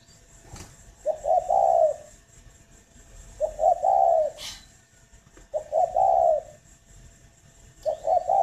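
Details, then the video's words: Morning cooing of a spotted dove kept at a breeding farm in northern Vietnam: repeated low phrases of two or three quick notes and a longer rolling coo, with a few faint clicks between. "tiếng chim cu đẻ"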